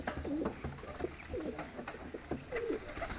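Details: Medium-sized diving tumbler pigeons make low, gurgling coos with a rising-then-falling inflection, about three phrases in quick succession, set against close, steady background rumble.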